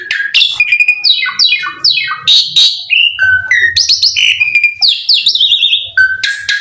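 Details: Loud, varied Asian pied starling singing, played as a lure to spur other starlings to sing: falling buzzy slurs, sharp squeaks and short whistled phrases follow one another without pause, with a low hum in the background.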